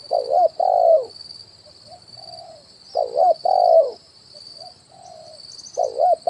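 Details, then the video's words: Spotted dove cooing as a decoy to attract wild birds, kuk 1 type, on branch and ground: three loud double coos, a wavy note then a drawn-out one, separated by quiet low coos, with a steady shrill tone throughout. "SUARA PANCINGAN BURUNG TEKUKUR,KUK 1 DI RANTING &TANAH"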